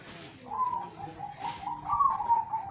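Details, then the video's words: Zebra dove, a kept bird, cooing: soft, tremulous notes held near one pitch, rising slightly toward the end, over a murky background hiss and low rumble. "Perkutut master gacor"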